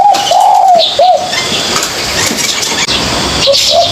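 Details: Young spotted dove learning to coo: a long mellow hoot and a short rounded coo at the start, then hiss, with a faint, broken start of another phrase near the end.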